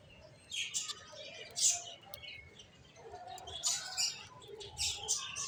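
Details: ['Finches giving thin, high chirps in scattered clusters, separated by brief quiet gaps, over faint low background noise.']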